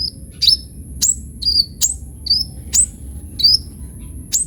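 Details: A sunbird known locally as kolibri ninja gives spaced, very high slurred whistles roughly every half second. Each note is a sharp downward flick, against a steady faint background whine.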